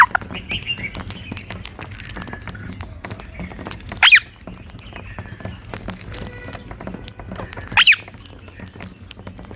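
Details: Rose-ringed parakeets sitting together in a tree in India: two sharp, shrill screeches about four seconds apart, over soft background chatter and faint clicks and taps.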